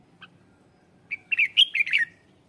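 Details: Red-whiskered bulbul lure song meant to draw in wild birds: one short, bright burst of chirping, warbled notes after a single faint chip, in a quiet setting.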